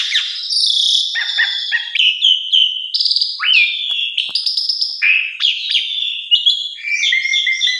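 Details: Black-collared starling song used as a lure to stimulate silent or stressed captive birds into singing; a continuous, varied run of loud whistles, rising and falling slurs and harsh buzzy notes with short rattles, no other sounds.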